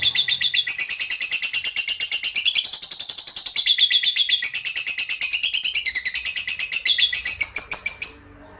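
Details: Lovebird in a long 'ngekek' trill: dense, rapid, high-pitched chattering pours out continuously for about eight seconds, wavering in pitch, before stopping abruptly.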